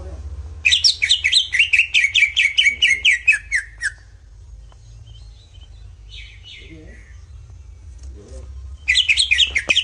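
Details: Greater green leafbird masteran (tutor) song, used to fire up other leafbirds: a rapid series of bright, slurred whistled notes descending steadily over about three seconds, a pause with faint chirps, then another fast burst begins.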